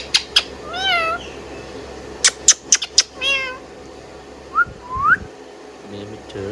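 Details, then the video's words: Indian ringneck parrot kept as a pet, giving sharp clicks and a couple of wavering whistles, then a quieter stretch with two short rising whistles. "Indian Ringneck Parrot Singing Whistling and Chirping Sound"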